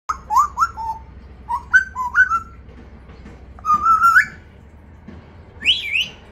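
An African grey parrot mimics a ringtone in clear whistled phrases. Short runs of two or three rising, sliding notes repeat every second or two, with a low hum underneath.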